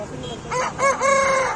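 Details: An Aseel rooster, a fighting breed, gives a short, hoarse crow: a few quick rising notes, then a drawn-out, falling final note over faint background noise.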